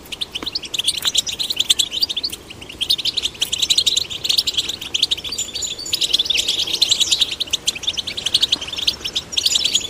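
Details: Continuous bubbling goldfinch song, fast tinkling high notes and trills run together without pause, used to motivate male and female goldfinch chicks to start singing.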